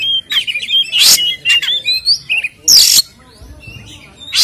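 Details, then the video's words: White-rumped shama singing a fighting-style song used as a lure to agitate other birds: loud harsh rasping bursts alternate with short whistled phrases, followed by a quieter pause with faint notes. "SUARA BURUNG Kacer gacor isian NGEPLONG TARUNG ini paling AMPUH buat PANCINGAN KACER agar EMOSI"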